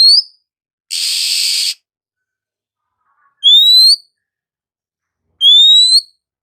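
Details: Oriental magpie-robin in the morning giving clear upslurred whistles about every two seconds, with one harsh hissing burst near the start.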